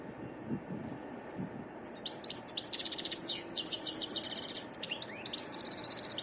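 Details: Near-silence with faint low rumbles, then a wild European goldfinch breaks into rapid high twittering song, mixing liquid chirps with a dry buzzing trill near the end.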